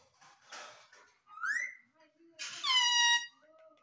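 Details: Pet Indian ringneck parakeet talking indoors, said to repeat "mummy mummy": a short squeaky syllable, then a rising whistled note, then a louder drawn-out nasal word with a falling end, in a small room.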